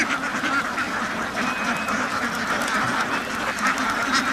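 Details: Dense overlapping quacks from many ducks on a duck farm, a continuous rough chorus without any quiet gaps.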